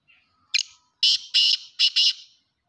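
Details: Black francolin giving its loud, rasping call: a sharp opening note, then four harsh, broad, scratchy bursts in quick succession over about a second and a half, clean and close.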